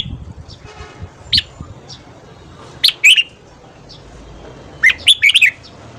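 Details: A red-whiskered bulbul sings in the morning, three bright, liquid, warbled phrases, each under a second and spaced a second or two apart, over a faint low hum.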